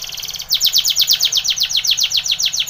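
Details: Timbrado canary song for training: a loud, steady series of quick downward-sweeping notes, evenly pulsed several times per second throughout.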